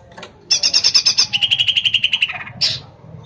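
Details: Captive greater green leafbird from Kelangdepok, Comal, Pemalang, Central Java, Indonesia, singing a rapid series of about twenty evenly repeated notes, first high then dropping to a lower steady run, closing with a harsh burst.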